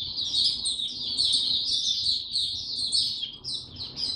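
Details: Caged white-eye recorded 29 April 2022, given no supplements, in a low-energy state: a smooth, continuous run of high-pitched twittering notes with steady loudness, over low background noise.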